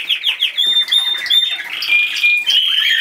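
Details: Pet cockatiel makes a string of bright, high chirps that run into drawn-out whistled tones, some slurring downward, with busy background noise.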